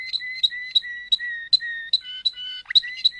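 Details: Waterslager canary: steady chain of pure whistled notes at an even pitch, shifting to a lower two-tone stretch, with a brief sweeping note near the end.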